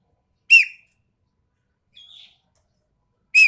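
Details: Sumatran common green magpie, described as sharp and harsh: two loud, grating, downward-curving squawks a few seconds apart, with a faint thin note between them.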